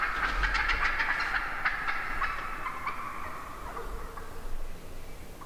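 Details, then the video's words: Wild turkey hens in a big morning flock, recorded from the middle of the birds: a quick run of sharp, repeated yelping notes at first, then softer overlapping clucks and purrs over a low rumble. "REAL Hen Turkey Vocalizations"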